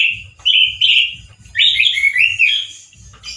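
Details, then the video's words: Caged male orange-headed thrush singing loud, harsh song: sustained whistled notes followed by a rich warbling phrase of slurred whistles rising and falling, with soft low thumps underneath. "ANIS MERAH GACOR SUARA KERAS DAN KASAR SEPERTI DI ALAM LIAR"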